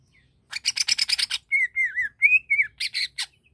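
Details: Greater green leafbird song used to anger other leafbirds: a rapid rattle of harsh buzzy notes, then a run of smooth wavering whistles and a final pair of scratchy chirps ending in a downslur.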